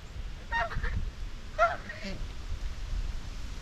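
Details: White Chinese geese, a domestic homestead flock chatting socially while grazing: two brief harmonic honks about a second apart, the second followed by a softer lower note, over a quiet noisy background.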